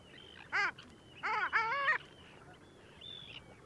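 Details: Long-tailed duck recorded at Liepāja, Latvia, January 2024: one brief nasal arched note, then a loud two-part yodelling call, with faint high calls of distant birds behind.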